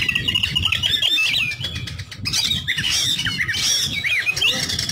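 An oriental magpie-robin sings a busy, unbroken stream of bright whistles mixed with harsh, squawky notes, over a low background rumble.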